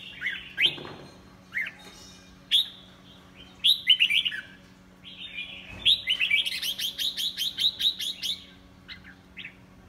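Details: Red-whiskered bulbul in the 'pháo cối' singing style, described with an unusual, stiffly spread crest; loud whistled and slurred notes in short bursts, then a fast run of about a dozen repeated sharp chirps, over a faint steady low hum.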